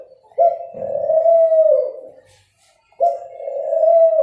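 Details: Two long, smooth low coos from a dove, each starting sharply and sustained at an even pitch, separated by about a second of near silence.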